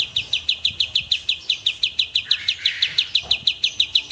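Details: Clear tembak-style song of an Oriental white-eye, used as a training master for cage birds: crisp high notes pulsing quickly and evenly, roughly three to four each second.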